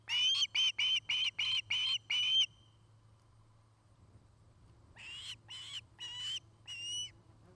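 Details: Nest cam in Charlo, Montana, 09-08-2018, with an osprey at the nest: seven quick, loud whistled chirps, a pause of about two seconds, then five softer, more spaced whistles.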